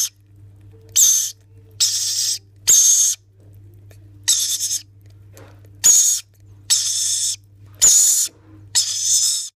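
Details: Rainbow lorikeet chicks being spoon-fed give noisy, harsh, raspy hissing bursts, about one each second, over a low steady electrical hum.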